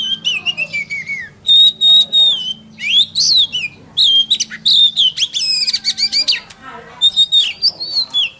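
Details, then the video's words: White-rumped shama song used to provoke other shamas into singing: loud, varied whistled phrases, clear notes sliding and rising, interspersed with rapid chattering trills and short bursts, delivered in quick succession with a faint low hum underneath. "KACER Bisu Langsung Nyaut Dengar Suara Ini"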